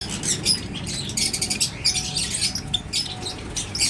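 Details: Java sparrows kept in an aviary, giving dense bursts of high, rapid chattering chirps and clicks that come in quick clusters with brief pauses.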